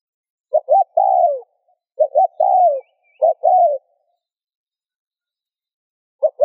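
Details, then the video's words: Spotted dove cooing to stimulate other doves to coo: soft, low hollow phrases of two short notes then a longer drawn-out, falling coo, repeated three times with clear gaps, a fourth phrase starting at the end; clean, quiet background. "Tiếng cu gáy RÚT BỔI hiệu quả , Chim cu rút bổi bài bản.chim cu gáy . cu gáy thúc gù kích bổi"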